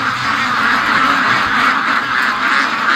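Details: A flock of domestic ducks in their pen on a foggy, rainy July 31 morning, quacking non-stop after an hour and 40 minutes waiting to be let out: many harsh, nasal quacks overlapping into a loud, steady clamour.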